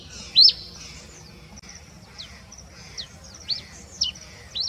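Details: Red-pileated finch singing before dawn: one loud, sharp, high chirp followed by a series of softer, thin, high chirps spaced about half a second apart.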